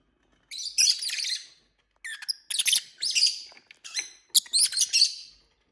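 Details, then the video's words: Pet lovebirds play together indoors, exploring curtains and fighting. They give rapid clusters of high, harsh, squeaky chirps in uneven bursts about every second, with brief silences between. "Lovebirds play day"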